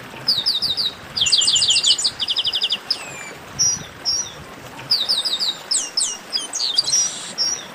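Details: Chestnut-capped blackbird singing an esquenta (warm-up): bursts of rapid repeated chirps, a long falling whistle, short upslurred notes, then busy overlapping chirps and whistles.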